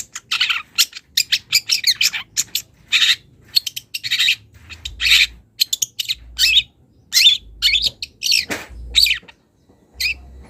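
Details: Young wild long-tailed shrike calling a rival as it starts to unload mimicked phrases. A long, busy stream of harsh scratchy bursts and quick chips comes in irregular groups, with one downward slurred note near the end. A faint hum lies underneath.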